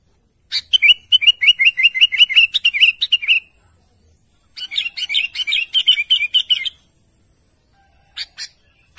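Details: Sooty-headed bulbul calling to its companions in a lively chattering burst: a fast string of short whistled notes for about three seconds, a pause, then a second run of bubbly notes and a few final chips.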